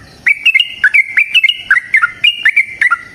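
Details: Loud, clear song of a yellow-vented bulbul in long-trill fighting style, used as a lure for caged birds: brisk liquid whistled notes with upward and downward flicks, closely packed over three seconds.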